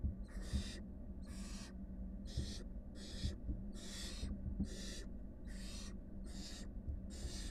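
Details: Wild barn owl nestlings, five in the brood, deliver loud repeated hissing screeches about every 0.8 seconds, ten in all, with soft taps and a constant low hum.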